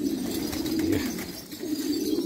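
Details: Black Afghan pigeons in Afghanistan give low, throaty coos that run almost without a break, rising and falling together in a dense murmur with a short lull near the middle.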